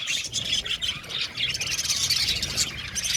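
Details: Budgerigars, a colony of about 70 pairs in an aviary, chirping together in a dense, continuous high chatter of overlapping squawks and twitters with no pauses, rising and falling in loudness.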